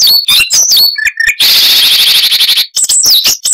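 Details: Siberian rubythroat (Luscinia calliope) song with noise reduced: quick high slurred whistles, a few lower notes, then a sustained harsh buzzy trill lasting about a second, ending in more swooping whistled phrases.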